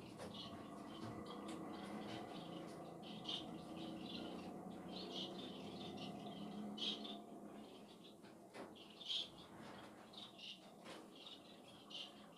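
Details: Finches chirping repeatedly with bright, high, short notes, roughly two per second and irregularly spaced, against a constant low hum that fades toward the end.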